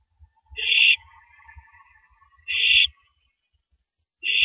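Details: Owl shredding a rabbit at 3:33 AM, April 9, 2012; two noisy, rasping screeches nearly two seconds apart, a third starting at the end, with a faint trailing rattle and low bumps.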